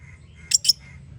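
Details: Parrot-family bird chirping indoors: two short, harsh, high-pitched chirps in quick succession, under a fifth of a second apart, over a quiet background with low hum.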